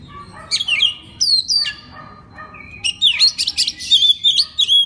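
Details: Oriental magpie-robin singing a master song meant to make other magpie-robins sing: loud, varied whistled phrases, swooping falls and rising slurs, then a rapid run of chirps and trills near the end, over a faint steady high whine.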